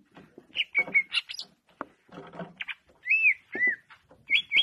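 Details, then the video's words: Greater green leafbird song mixing scratchy twittering with clear, slurred whistled notes, some rising and some falling, and a final pair of quick bright whistles; phrases come in short bursts separated by brief pauses. "Manuk Cucak Ijo"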